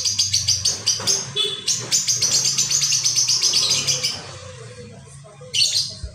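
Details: Lovebird ngekek chatter played as a lure: a fast, steady train of sharp, high chirps for about four seconds, then a pause and one more brief squeaky burst, over a faint low hum.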